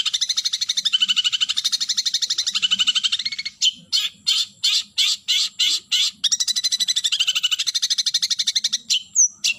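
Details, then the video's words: Long-tailed shrike calling a rival: fast, harsh, rasping chatter of dense repeated notes for about three seconds, then separate loud buzzy bursts roughly twice a second, then a second long rapid chatter run. No other sounds. "Suara Burung Cendet Memanggil Lawan"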